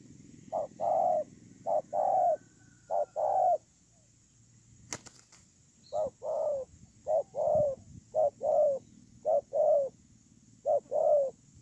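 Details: Ground decoy spotted dove recorded 8 October 2018, giving series of low coos, each a short hoot paired with a longer falling note, broken by a sharp click and a brief pause before cooing resumes.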